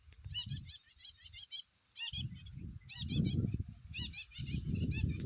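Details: Jungle babblers (Argya striata) perched in a tree in the evening near the Ujani River, several birds giving bursts of harsh, chattering chirps in quick clusters over steady low rumbling noise and a high electronic whine.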